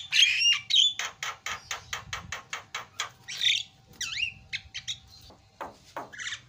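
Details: Javan myna (jalak kebo) tutor song meant to set mynas calling: bright whistles, then a rapid even series of dry chattering notes, then twisting whistled slurs and falling squeaks.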